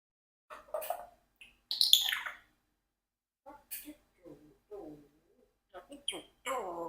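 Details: A 4-year-old Congo African grey parrot, playing with and talking to ice, chatters in short speech-like bursts mixed with bright whistles and squeaks, with brief pauses between phrases.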